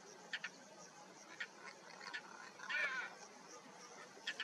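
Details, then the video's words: Calls of a European roller, Jezreel Valley, Israel, May 2022: a few brief dry clicks, then a harsh grating burst near the end's midpoint, followed by more short clicks against soft background noise. "כחל מצוי משמיע קולות"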